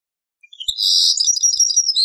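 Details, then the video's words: Short burst of European goldfinch song in the Taqsrayn style from an old cassette recording: after a brief rising note, a dense, high, buzzy twittering phrase runs continuously to the end. "تغريد تقصراين من كاسيت قديم"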